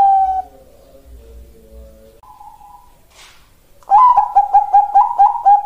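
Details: Bangkok-type zebra dove, a female calling a male, kept as a lure and model song. After a faint low unrelated tone and a quiet gap, a rapid, bubbling run of about ten short, pulsing coos begins.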